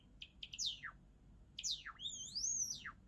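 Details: Java sparrow singing: a few quick ticking notes run into steeply descending slurs, followed by a sustained, gently rising and falling whistle that ends in a downward swoop.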